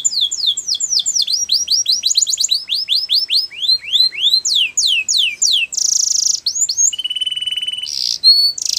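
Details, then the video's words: Canary singing for training: a long series of rapid whistled sweeps, some rising and some falling, in shifting rhythms. Then comes a loud buzzy block, a low steady roll, and short high notes. "Canaries Singing !! The Best Canary Training Song"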